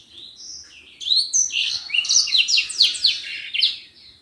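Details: Common iora in energetic song meant for tutoring other birds: soft whistles at first, then a rapid run of sharp descending buzzy notes repeated several times a second, fading at the end.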